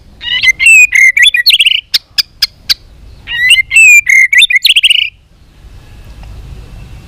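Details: White-rumped shama in contest-singing training with a many-voiced song: two dense bursts of rapid, varied chirps and trills separated by a string of sharp clicks, then a quiet pause.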